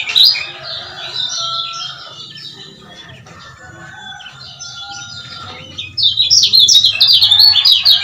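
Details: Lemon-bellied white-eye male lure sound from Lombok: a brief high twitter at the start, several seconds of faint warbling, then a sudden loud burst of rapid, piercing chirps in the last two seconds.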